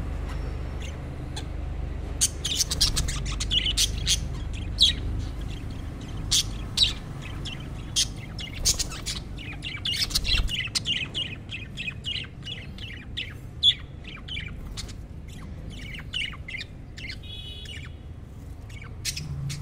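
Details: Budgerigars of different colour varieties chatter with rapid, scratchy chirps and short warbled notes over a low background rumble.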